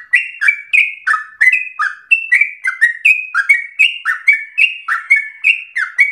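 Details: Sooty-headed bulbul in continuous, emotional rapid-fire song, kept for prompting other birds to sing and for song training; clipped whistled notes alternate high and low, repeated briskly about three times a second, clean background.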